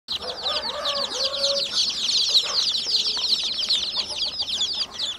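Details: Many newly hatching chicken chicks peep together in a constant, overlapping chorus of high, sharp, rapid notes, with a few lower, softer murmurs underneath.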